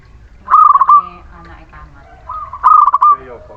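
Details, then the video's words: Zebra dove of the local Muria type singing a lure song used to coax birds that are reluctant to sing: two loud rolling trilled coo phrases with softer murmuring notes between them. "Perkutut lokal Muria gacor pancingan setiap waktu perkutut malas bunyi"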